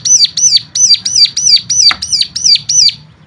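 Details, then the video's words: Bird song played to stimulate other birds into singing: loud, high, sharply down-slurred chirps repeated rapidly, about three per second, each a quick whistled swoop. "full suara rangsangan jadikan cigun lain mana tahan auto gacor seketika"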